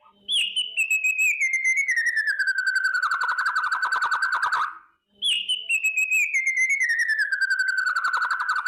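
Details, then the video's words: Morning song of a white-rumped shama, meant to stir fighting spirit: two long sliding whistled phrases, each falling steadily from high to lower pitch with a rapid trilled texture, separated by a brief pause. "kretekan dahsyat❗murai batu gacor pancingan pendongkrak emosi dan fighter pagi hari burung murai"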